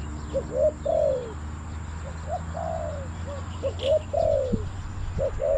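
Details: Wild and decoy spotted doves at Bang Li, Thailand, where the caged decoy calls wild birds down with two-note coos. Short hoots and longer drawn-out falling coos alternate, with a sharp click and faint bird chirps in the background.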